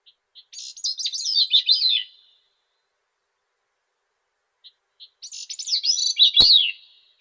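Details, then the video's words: A Grey-cheeked Thrush (Catharus minimus) sings two thin, high, fluty phrases that spiral and slur downward, each about one and a half seconds long and spaced several seconds apart. "Как поёт Дрозд малый (Catharus minimus)"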